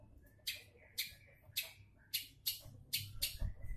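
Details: Long-tailed shrike song used as a lure to make other shrikes sing: harsh, broadband rasping bursts about every half second, with a few lower connecting notes between them.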